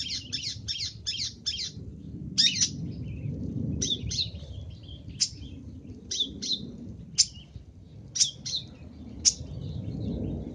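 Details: Long-tailed shrike calling, recorded for luring: a fast opening burst of five grating notes, then spaced harsh single and paired calls at irregular intervals, against a steady low-pitched background hum.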